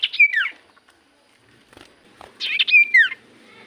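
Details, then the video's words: Common iora singing energetically as a lure for other birds; two matching phrases about two seconds apart, each a buzzy burst ending in a clear whistle sliding downward. "Pancingan Burung sirtu cipoh gacor"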